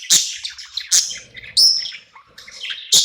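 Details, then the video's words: Budgerigar at night, content in a new home, uttering loud sharp chirps about once a second, one drawn into a short whistle, with quieter soft chatter between them. "Cute budgie night happy in new home singing and chirping sounds"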